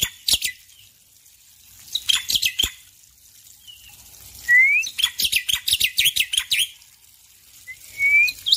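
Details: Male black-winged myna (Sturnus melanopterus) singing in the morning, with water sounds: bursts of harsh, chattering notes mixed with clear rising whistles, with short pauses between phrases.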